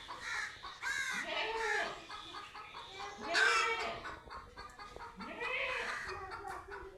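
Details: Chicken meeting a cat for the first time: rhythmic clucking notes in short bursts, with a louder squawk midway and some background voices.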